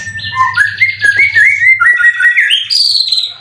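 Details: Competition white-rumped shama kept caged in Kebun Jeruk Baru, Indonesia, described as 90% in condition with full cililin material, delivers a stepwise ladder of quick whistled notes climbing to a sharp high ending.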